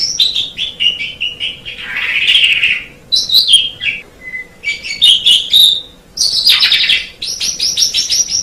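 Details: Song of an Asian pied starling used as tutoring material for cage birds: a loud jumble of whistles, harsh chatters and buzzy notes, including a short pure whistle and a fast rattling burst near the end.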